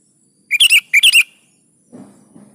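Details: Sooty-headed bulbul in energetic full song, two quick bursts of bubbly chattering notes, each three-part, then a faint low rustle.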